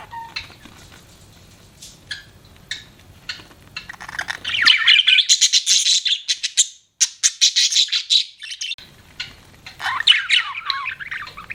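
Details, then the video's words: Budgerigars chirping, starting with quiet scattered clicks and soft notes, then building into rapid rasping chatter and bright rising whistles. "BUDGIES CHIRPING SOUND"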